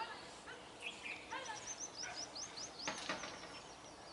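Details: Brahminy starling flock, a quick descending-stepped series of short high whistled notes followed by a harsh burst, amid scattered softer calls.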